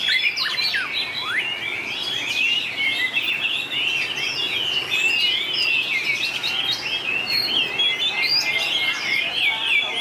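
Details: Song-battle singing from white-rumped shama, showing long changes of voice: a sustained, busy stream of high warbled whistles and quick zigzag notes continues unbroken for ten seconds.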